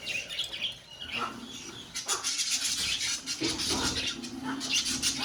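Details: Budgerigars in a colony producing a steady wash of chattering, squeaky warbles and clicks, many birds overlapping, over a faint low hum in the background.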